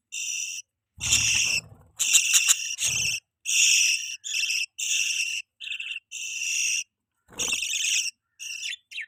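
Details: Budgerigars feeding their young, kept as pets: rapid series of grating, buzzy chirps, each about half a second, following one another with short gaps, mixed with brief low rustling thumps.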